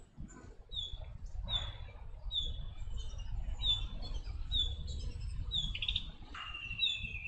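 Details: Chestnut-cheeked starling raising young: a steady string of high, piercing, slightly descending squeaks, each under half a second, ending with a longer, flatter whistled note, with low rumbling noise throughout.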